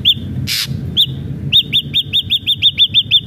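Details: Ashy drongo in energetic song: a few arched whistles and one loud harsh burst, then a rapid, regular string of about ten identical rising-falling whistled notes.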